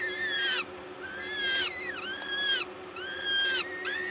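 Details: Peregrine falcon nest, Gdańsk, Poland, 14 May 2022, while a parent feeds. Repeated long, bowed whining calls about once a second, one dipping then levelling, over a low mechanical drone.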